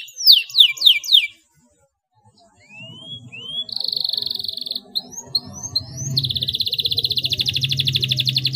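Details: Canary song, used to encourage silent canaries to sing: quick descending chirps, a pause, rising whistles, a buzzy steady trill, then a long rapid rolling trill, with faint low hum in the background.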